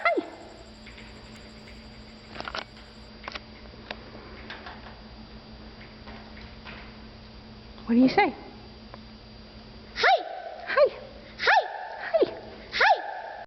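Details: Talking common raven: faint murmurs at first, then a run of five loud, short speech-like calls in the last seconds, each arching up then dropping in pitch, over a steady low background hum.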